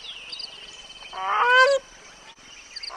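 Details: A grey crowned crane, filmed with its young, gives one loud, nasal, honking call lasting under a second and rising slightly at the end, over faint high chirping and the start of another call.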